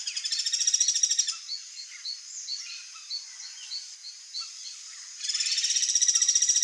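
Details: Two loud, rapid rattles from a wild ringed kingfisher bracket a quieter stretch of short chirps from other birds, all over a continuous thin insect whine.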